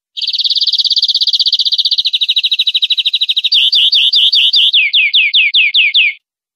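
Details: European greenfinch on a clean 2020/2021 tutor CD for captive birds: a long, steady rattling trill, then bouncy looped twitters, finishing with distinct downward-swept whistled notes in a regular series, with silence around it.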